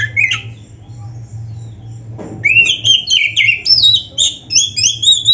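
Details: Oriental magpie-robin (kacer) singing to push lazy caged birds to answer; one whistle, a pause and a click, then fast varied high whistles and trills with ringing upslurs, backed by a low hum.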